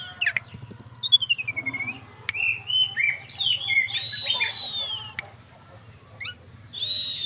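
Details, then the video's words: Captive mountain tailorbird in Purworejo, Central Java, calling a female with flute-like whistling: a rapid descending series of notes, then sliding whistles and a broader rasp, with sharp clicks and a low hum. "Tledekan Gunung Gacor Nyuling Panggil Betina"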